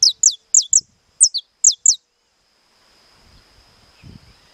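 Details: Estalado-style song from a captive saffron finch: eight crisp, high, downward-slurred snapping notes, some in pairs, over two seconds, then quiet with a faint hum and a low thump.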